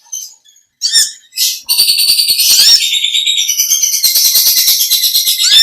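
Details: After a few short high chips, an olive-backed sunbird launches into a sustained, shrill chattering run. The fast notes are repeated more than twice a second in the long 'ngekek' style and carry on to the end.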